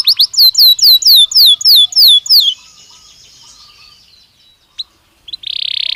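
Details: Naturally singing Belgian canary: a run of about eight descending slurred whistles, then a fading thin tone, a lone chip, and the start of a dense high trill.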